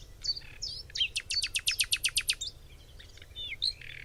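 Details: A Common nightingale recorded in springtime in a forest at Cologne, Germany, sings varied high phrases, then a fast loud run of about ten repeated notes, then more twisting whistles over a faint low rumble.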